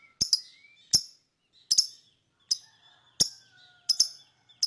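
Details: Lovebird chirping to lure other birds: loud sharp high chirps, often doubled, spaced under a second apart, with faint rising whistles from other birds between them.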